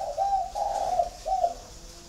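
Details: Spotted dove from a captive flock in Ba Vì, Hanoi, Vietnam, delivering one close, soft coo phrase: a brief opening note, a drawn-out wavering middle, and a short closing note.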